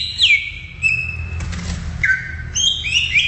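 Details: ['Greater green leafbird singing in the wild: clear whistled notes, a downslurred whistle into a long steady tone, then lower and higher held whistles, over a low rumbling hum.']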